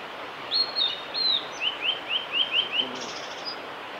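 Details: Singing male blue-and-white flycatcher at Miyagase Lake's Kanazawa forest road, Japan, 5 May 2018: a few long high slurred whistles followed by six rapid rising chip-like notes in an even series, then a soft high buzzy flourish.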